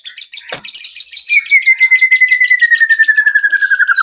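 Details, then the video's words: White-rumped shama lure song meant to prompt other shamas to sing and display their repertoire: a sharp click, then one long, slowly falling pure whistle over a rapid pulsed trill. "PANCINGAN MURAI BATU AGAR CEPAT BUNYI BONGKAR ISIAN"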